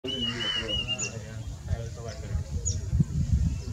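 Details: A Diederik cuckoo (Chrysococcyx caprius) sings, a song said to be very similar to Plaintive Cuckoo's: a quick run of clear, high whistled notes, then silence under low rumbling and a faint voice-like murmur.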